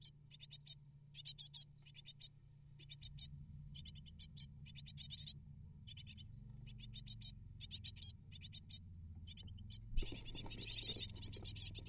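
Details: Eight great tit nestlings beg as a parent brings prey, short bursts of high rasping chirps repeated steadily, then a sudden louder, more intense outburst near the end with a low background rumble.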